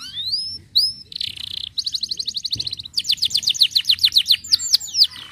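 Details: Canary song played to stimulate other canaries to sing: rising whistled notes, a buzzy trill, then fast repeated chirps, about four notes a second, ending in sweeping whistles.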